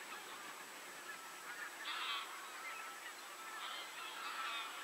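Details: Geese calling outdoors: a few harsh, nasal honks come in short bursts around the two-second mark and twice more near the end, set against a steady hiss of background noise.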